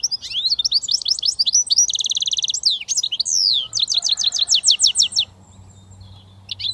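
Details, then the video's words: Goldfinch mule, a hybrid British finch, in sustained high song: quick sweeping twitters, a dense buzzing trill, a long slurred note, then a run of repeated chipping phrases, with a faint low hum underneath. "Goldfinch mule switty"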